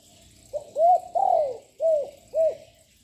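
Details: Loud-voiced young spotted dove singing to provoke rivals: a brief lead note, then four round coos, the second drawn out and falling, all within three seconds, clean and low-pitched.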